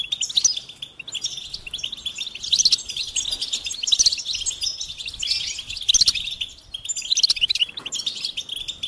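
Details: Goldfinch singing a dense, high twittering song of rapid chirps and trills with bright tinkling notes, in bursts that swell around two, four, six and seven seconds, over a quiet background.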